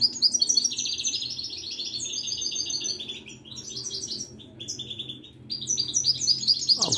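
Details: A Moroccan wedani European goldfinch sings a rapid, tinkling run of high twitters and liquid trills, with a brief lull midway before the bright chatter resumes.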